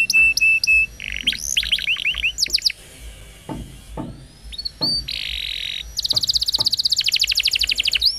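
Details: Canary song used as a lure recording to prompt silent or warbling canaries into full song: high rapid chirped tours, buzzy trills and whistled notes, with a quiet whistled pause midway before fast repeated syllables return.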